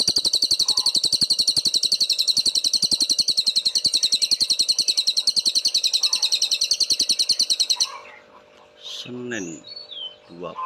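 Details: Loud, clear cililin song used as a master recording for songbirds: a long, rapid, sharply pulsed high trill lasting about eight seconds, then stopping, followed by a few scattered chirps and low sounds.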